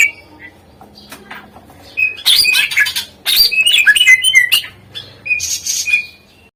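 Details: Greater green leafbird song meant to lure silent birds into singing: after a quiet start with a few soft whistles, dense bursts of scratchy, chattering notes and rolling whistles, ending in a brief whistled phrase.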